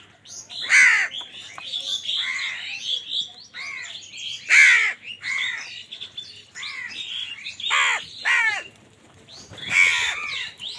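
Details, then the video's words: A noisy crowd of crows fights for food, harsh caws and squawks tumbling over one another, with louder outbursts every few seconds throughout. "কাকের ডাক Crow Sound Crow ki Awaz Loudly | Crow bird Fight for Food"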